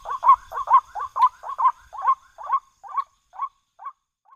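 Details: Repeated white-breasted waterhen call used as a hunting lure: gruff croaking notes in a steady series that slow and fade away over four seconds, with a faint thin hum behind.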